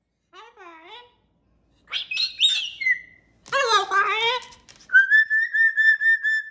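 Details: A pet cockatoo runs through varied sounds: a soft wavering call, chattering squeaks, a rough speech-like burst, then a steady held whistle.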